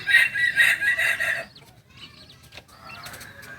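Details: Young Kokok Balenggek rooster from Solok, Indonesia, crows in a pulsing, hoarse phrase of about one and a half seconds, three swells in quick succession, then low background noise and faint calls.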